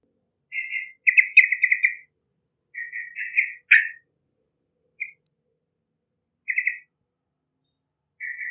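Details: Yellow-vented bulbul singing energetically as a lure for young birds: several bubbly chattering phrases and a sharp downslurred note, spaced with pauses, then isolated short chirps and a final warbled phrase.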